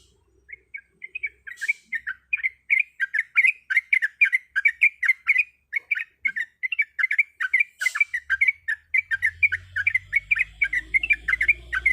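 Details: A female sooty-headed bulbul calls for the male: chatter begins softly, then becomes a dense, lively run of rapid chirping notes with two brief clicks, and a low hum enters near the end.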